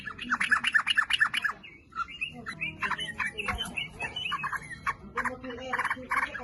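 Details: Sooty-headed bulbul singing energetically, used as a lure to get other birds to sing: a fast burst of bright repeated notes, then varied whistled and chattering phrases with a faint background hum.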